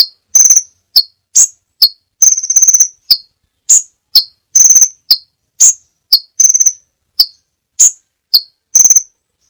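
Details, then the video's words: Crimson sunbird (Aethopyga siparaja) gives a quick run of very high, thin, sharp notes and short buzzy trills, several a second, with brief gaps and no other sounds. "masteran burung sepah raja banyak variasi"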